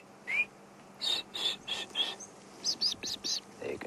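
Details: Blue waxbills give high, thin, squeaky notes in quick bursts, about ten in four seconds, opening with a short rising whistle, on a quiet, cloudy afternoon with wind, francolins calling in the background and a passing wasp buzzing.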